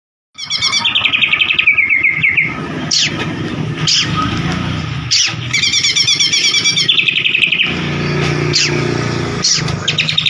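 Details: White-rumped shama (murai batu) provoking recording for a bird that has stopped singing: dense rapid trills and high chattering phrases repeated in bursts, over a low engine-like rumble.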